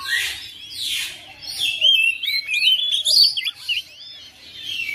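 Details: Caged oriental magpie-robin kept at home, singing vigorously in answer to another bird: a fast, varied stream of whistled phrases, rising and falling sweeps and scratchy notes, with no pauses.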